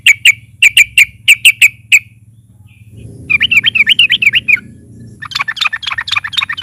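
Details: Trucukan (sooty-headed bulbul) singing loudly to prompt other birds: paired sharp chirps repeated several times, then a fast wavering phrase, and finally a rapid, dense chattering over a low hum.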